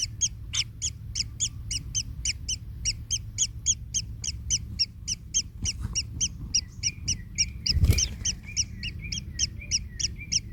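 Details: Nestling kingfisher, in pain after being trampled by its parent, calling in a fast steady series of short clipped notes, three to four a second, with a brief thump near the end and low hum beneath.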